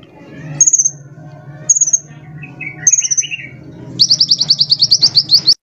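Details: Sunbird recorded as a tutor for other cage birds: three short high pulsed phrases spaced about a second apart, a lower warble between, then a sustained rapid trill, over a steady low hum.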